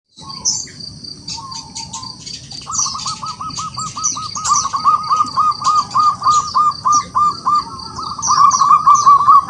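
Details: Local wild zebra dove singing actively, calling rivals to sing: stuttering runs of soft, rapid cooing notes at a low pitch, building into a long rolling series, over a steady high insect-like hiss and faint chirps.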